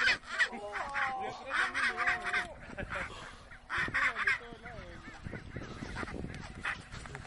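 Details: Aggressive Chinstrap penguins fighting on the Antarctic Peninsula give loud, harsh brays with bending harmonic notes in bursts about every two seconds, several birds calling over each other.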